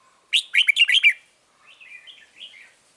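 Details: Lure red-whiskered bulbul in a bird trap delivers a rapid, loud string of five rich, liquid notes, then after a short gap a soft, chattering, descending warble.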